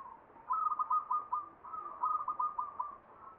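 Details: Perkutut, the zebra dove, performing a ngepat Mataram Jogja style song: two rapid strings of soft, mid-pitched cooing notes, one after the other, over a steady background hiss.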